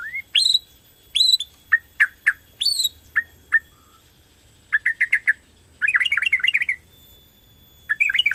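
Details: Borneo white-rumped shama singing vigorously as a lure for other shamas: evenly spaced sharp ringing notes, a short quiet gap, then quick clusters of chattering notes and a fast bubbling trill.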